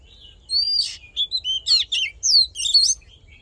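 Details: Oriental magpie-robin singing its fighting song for voice training: a rapid run of clear sliding whistles, up-and-down notes and scratchy chips, about eight phrases in three seconds.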